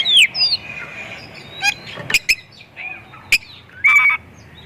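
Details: Lure song of a White-rumped shama meant to provoke other shamas: a falling whistle at the start, then loud sharp clicks and chips spaced irregularly, ending with a bright whistled phrase.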